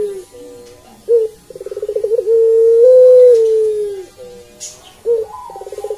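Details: Melodious Barbary dove (puter pelung) calls: a brief sharp note, then a series of quick throbbing pulses flowing into a long, even, sustained coo that fades slightly at the end, followed by another stuttering pulsed phrase.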